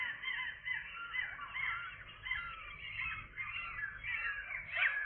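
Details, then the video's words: Fledging-day gull chicks, 7 July 2022, calling in repeated arched, whining cries with wavering pitch, irregularly spaced, over low background rumble. "seagull chicks, airborne day"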